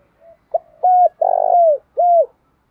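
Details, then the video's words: Spotted dove of the fields cooing in the thúc dâu manner: a faint lead note and a short clipped note, then three loud hollow coos, the middle one longer and buzzier, the last dropping away. "tieng cu gay tho dong thuc dau thuc dau"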